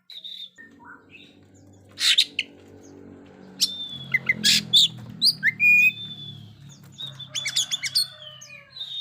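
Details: Oriental magpie-robin singing, used for training young birds that are still silent: scattered sharp chirps and brief high whistles in short bursts, with gaps of quiet and a faint low hum underneath.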